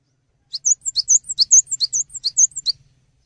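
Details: Lively song of a Cinereous tit, used to tutor songbirds: a fast run of about a dozen high, sweet notes alternating sharply rising and level whistles in steady two-note pairs, in a quiet setting.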